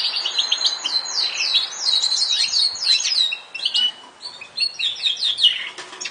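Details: Yorkshire canary delivering continuous song of quick descending whistled notes and chattering trills, briefly dropping off midway before resuming with more rapid phrases.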